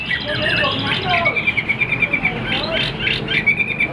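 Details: Caged Chinese Hwamei, tail fanned even when not singing; rapid jumbled chirping and short whistled notes repeated quickly, partly masked by background noise and speech.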